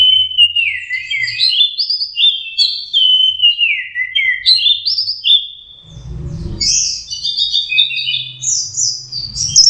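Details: Orange-headed thrush, a juvenile practising to sing: repeated descending whistled phrases, then higher rapid twittering warbles, fluent and continuous; a brief low rustling noise midway.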